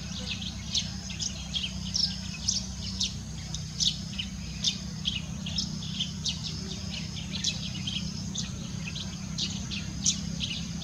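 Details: Yellow-throated sparrow calling with a busy run of brief, bright chirps and tweets, closely spaced and uneven in rhythm, against a constant thin high hiss and low-frequency rumble.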